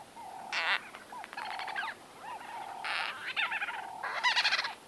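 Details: A close group of white-fronted bee-eaters conversing: looping mid-pitched notes repeated steadily beneath harsh, buzzy bursts and a fast stuttering run of clicks near the end.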